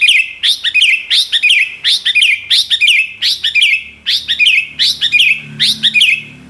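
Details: Female greater green leafbird giving the ngentrok call, a harsh, scratchy chatter repeated in quick clusters about one to two per second throughout, with low background hum indoors.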